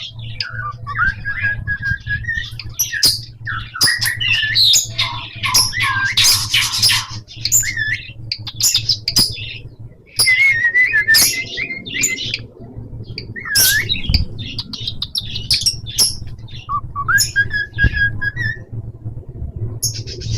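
A cockatiel chatters with rising whistles, harsh squawks and warbling chirps over a steady low hum.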